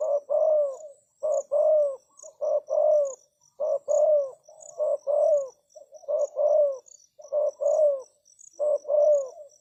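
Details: Spotted dove decoy calling to lure wild doves: deep, hoarse coos in a steady pattern, each a quick stutter followed by a longer rolling note, repeated about every second, with faint high ticking insects behind.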